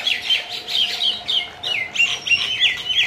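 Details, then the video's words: Fighting common mynas in Keraniganj, Dhaka, Bangladesh, giving rapid harsh chirps and bent, slurred whistles in quick bursts, with a brief pause midway before the scolding resumes. "শালিক পাখির মারামারি | Shalik bird fights"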